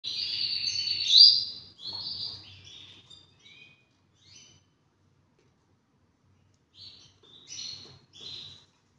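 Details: Two-year-old half frill male Spanish Timbrado canary, ready to breed, singing a bright high warbling phrase for about three seconds, then a pause and a few short scattered chirps near the end.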